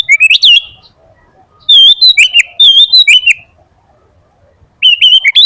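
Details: Energetic full song of a sooty-headed bulbul, intended to set other bulbuls singing: three bursts of rapid, liquid, bubbly whistles rising and falling, separated by short quiet gaps.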